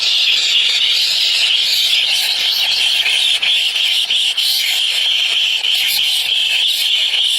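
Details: Three hungry baby birds begging: a dense, continuous high-pitched squealing chorus that holds steadily with barely a pause, flickering slightly in intensity throughout.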